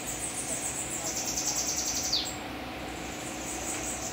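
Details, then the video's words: Bananaquit (sibite) from a kept group of several birds held at a house, singing: a rapid, very high, thin buzzy trill of repeated notes, ending in a sharp downward-sweeping note, then quieter trilling follows over a steady low hum. "BATERIA DE SIBITE"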